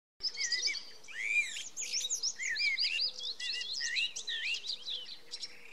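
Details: A blackbird singing at night gives a busy, unbroken run of slurred fluty notes mixed with high squeaky twitters, with a faint low tone repeating quietly underneath.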